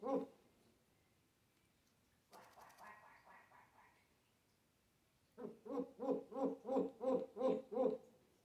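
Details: An African grey parrot showing off its mimicry of snoring, coughing, yelling and laughing. A short harsh, noisy burst fades out, then a run of eight even, hollow, laughing-like pulses follows.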